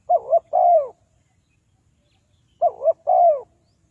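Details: Trapping-lure spotted dove giving its call. Two matching phrases about two and a half seconds apart, each a wavy rising-falling coo followed by a smooth, longer falling note.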